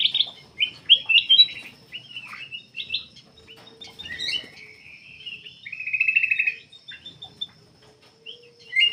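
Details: Black-capped bulbul singing vigorously, a lure for drawing song from other birds; short bright whistles at the start, then a long, even, buzzy trill, with a faint low hum behind.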